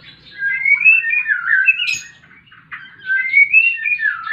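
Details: White-rumped shama singing a fighting song, used as a lure to make silent birds sing: two bursts of clear, slurred whistled phrases rising and falling, separated by a short sharp click and a quiet gap.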